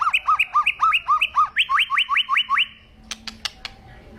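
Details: White-rumped shama, described as agitated, sings a fast run of paired chirping notes. These shift into a series of sharp upswept whistles repeated about five times a second, then a few dry clicks over a quiet background.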